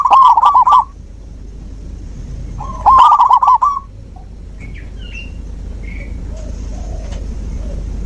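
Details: Song of a zebra dove, used to coax a dove that stopped singing: two short rippling phrases of fast, clipped coos about three seconds apart, followed by faint distant chirps.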